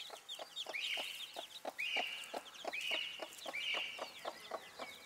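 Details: Broody bantam hen with her young: rhythmic low clucks, several per second, while chicks give loud, high trilled cheeps about once a second and softer peeps in between.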